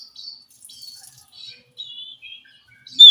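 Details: Oriental magpie-robin living wild in forest, heard answering a reluctant captive bird: a few soft, thin whistled notes with pauses between them, then a sudden loud note at the end.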